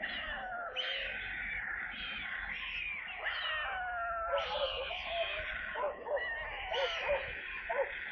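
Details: Cat-like mewing calls from stork chicks at their nest in Kaluga Region, Russia, during a water delivery on 28 July. The calls are bent and wavering, come roughly once a second, and grow louder toward the end.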